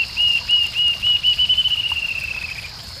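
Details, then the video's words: Rufous-tailed jacamar song from Arapongas, Paraná, Brazil: a run of high, thin whistled notes that speeds up into a fast, slightly falling trill and then fades, with a constant high buzzing background. "ARIRAMBA DE CAUDA RUIVA Rufous-tailed jacamar HD CANTO"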